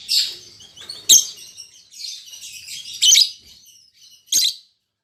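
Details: Newly paired albino MM male and lutino MM female lovebirds give sharp, shrill squeaks and short scratchy chirps spaced about a second apart, each bursting out loud then fading.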